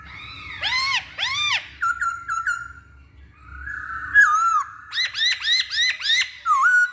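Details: Masked laughingthrush song used to lure other birds into singing: two loud arched whistles, a quick stutter of short notes, a held level tone, then a rhythmic string of six arched whistled notes about two per second.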